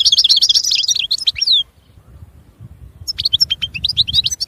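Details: A European goldfinch gives a rapid twittering phrase with buzzy trilled notes, falls silent for over a second, then resumes with scattered chirps and twitters over a faint low background hum.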